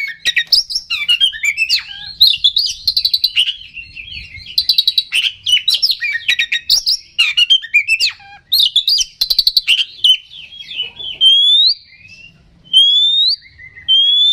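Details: Oriental magpie-robin song used as a lure to provoke rival birds and stir aggression: a dense, rapid stream of varied whistles, buzzy trills and sharp chattering bursts, closing with clear upward-slurred whistles repeated about once a second.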